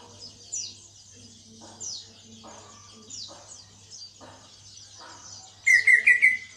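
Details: Greater green leafbird kept as a cage bird, beginning to sing after a heavy moult: faint high chirping and soft murmuring at first, then a loud burst of quick, rippling whistled notes at the end.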